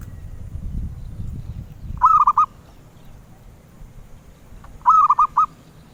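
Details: Sweet-voiced zebra dove of the collectors' kind, repeating a rapid four-note cooing phrase twice, roughly three seconds apart, above a low rumbling background.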